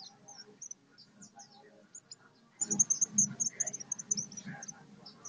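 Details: Olive-backed sunbird, known locally as sogok ontong or sriganti, from Solo, Indonesia: faint scattered high chirps give way to a dense, rapid burst of thin, very high twittering notes, over a low murmur of background noise.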